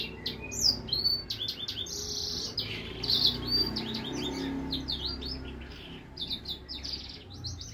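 A finch-siskin hybrid sings a fast, twittering song of high chirps, buzzy trills and bursts, with low background rumble throughout.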